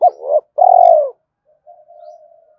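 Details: Spotted dove decoy calling to pull in other doves: a short coo and a rising note, then a long buzzy pulsed coo falling at the end. A faint, soft, steady hum follows.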